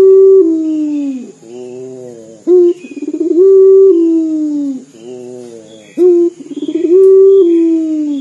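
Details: Local Barbary dove, a frequent singer, giving the dor-style coo said to sound like crying: a loud, long, steady low tone that sags at the end, a soft lower murmur, then a sharp rising note, repeated about every three seconds.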